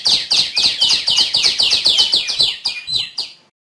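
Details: Song of a female tiểu my bird: rapid, evenly spaced high chirps sliding downward, roughly four per second, slowing and fading out toward the end.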